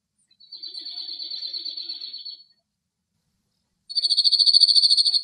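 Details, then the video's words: Cirl Bunting male perched on a rock in Greece, cloudy and windy weather, delivers two rapid metallic trills of repeated notes about two seconds apart, the second louder and more sharply pulsed. "Σιρλοτσίχλονο Κελάηδημα σε Βράχο - Male Cirl Bunting Bird Singing"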